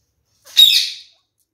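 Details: One of a pet kakariki parakeet pair, kept indoors and inspecting a newly installed nest box, gives one sharp, high, harsh squawk of under a second that fades quickly into silence.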